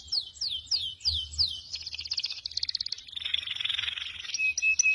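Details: Masteran song mix of cucak jenggot, cililin and canary, quieter: a row of descending whistled slurs, then a chattering trill and a dense harsh warble, ending with brief thin notes.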